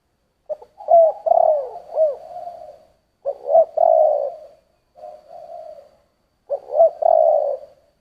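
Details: A spotted dove coos in the thổ style with three throaty phrases in quick succession, each a short note or two followed by a long rolling coo. The last note of each phrase trails off, and pauses are brief.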